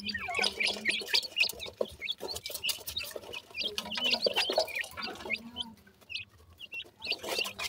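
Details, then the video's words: Playful black francolin chicks, called dakhni teetar, kept as young birds: rapid high peeping notes tumbling over each other, almost continuous, with a low hum and a quieter pause near the end. "baby dakhni teetar,baby ki boli"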